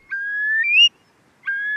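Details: A Eurasian Curlew in wild UK habitat gives its distinctive melancholy 'cour-lii': a clear, drawn-out whistle that swells and rises sharply at the end. A second whistle begins just after.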